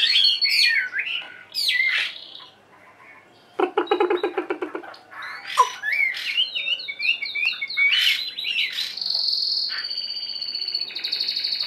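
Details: Hwamei, wild-caught and one week in a cage, gives bursts of varied whistled song with swooping notes. A pause follows, then a rapid rattling pulse train, then rising trills and a sustained high whistle toward the end.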